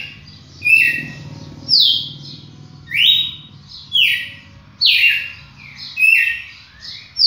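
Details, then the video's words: Red-cowled cardinal, a champion songbird, singing loud whistled phrases that slide steeply downward between high and mid pitch, about one phrase every second, with a soft low hum underneath. "Galo de campina campeão"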